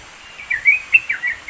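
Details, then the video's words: Yellow-vented bulbul singing vigorously in the mountains of East Java, Indonesia, used as a training song for songbirds; short bubbly whistled phrases of quick rising and falling notes, about five in under two seconds, over faint background hiss. "masteran trucukan gacor"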